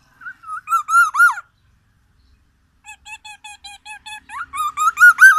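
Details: Black-naped oriole from Aceh, Sumatra, delivering white-rumped shama imitations: nasal, squeaky harmonic notes in a stuttering series, with a smooth level whistle before and after.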